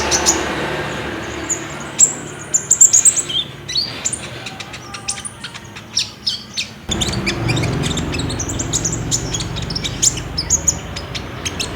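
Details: Olive-backed sunbird (ninja type) singing energetically, used to lure caged birds into singing, recorded with a phone: long sequence of high, piercing chirps and twittering bursts, pauses between clusters, steady low hum underneath.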